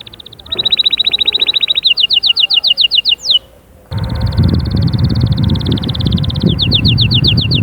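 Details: Singing canary, used to coax chicks into song and prepare hens: a rapid even trill, then a run of sharper repeated notes, a short gap, and another dense high trill over low rumbling background noise.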